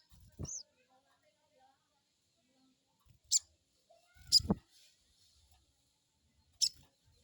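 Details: Crecet call of a crested jay, played to stimulate another bird to reply: scattered high, thin squeaks, one curving downward, about one a second, with dull knocks underneath.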